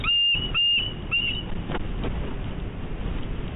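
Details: Bald eagle on high alert at its West End nest on Catalina Island, California, 11 March 2016; three loud, high whistled notes in quick succession, each a thin steady piping tone, over a low background rumble.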